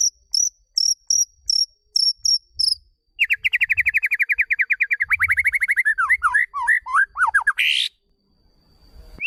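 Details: Magpie-robin song meant to coax a mute caged bird back into singing: high thin notes repeated in pairs, then a fast rattling trill of even notes sliding into twisting whistled phrases.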